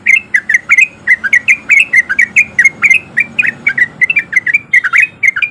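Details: Trucuk, the sooty-headed bulbul, singing energetically as a lure for quiet birds. The male's ropel song is a steady stream of bright, slurred chirps, packed closely together throughout.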